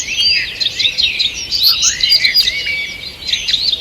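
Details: Dawn-hour forest chorus recorded 2 June 2023: a mix of high chattering and slurred whistles from several birds, one lower descending whistle audible midway.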